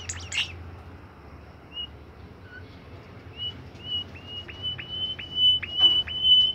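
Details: Singing bimoli bird kept in a cage: after a scratchy opening note, short high whistles come faster and merge into a long chain of level notes interrupted by quick dips, growing louder toward the end.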